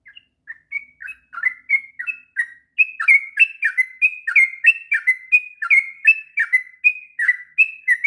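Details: Sooty-headed bulbul giving a long, unbroken ngropel song used as tutor material for young birds: quiet opening notes, then a brisk run of short liquid whistled phrases, slurring down and up, about three per second.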